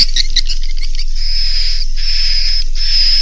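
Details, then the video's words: Edible-nest swiftlet roosting lure, Naga Mas inap type, for settling young swiftlets; it opens with quick stuttering twitters, then gives longer buzzy chirps with a clear high whistle line. "SUARA INAP NAGA MAS"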